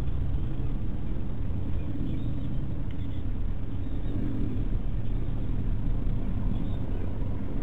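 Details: Dense broadband rumble like wind or engine noise runs throughout, with one brief click and no animal voices.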